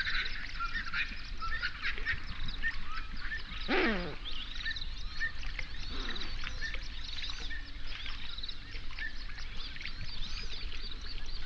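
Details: A large flamingo gathering on an Overberg national park lake in South Africa, binaural recording at sunrise. A thick chorus of overlapping honks and chatter continues throughout, with a loud, harsh, downward call standing out near the start.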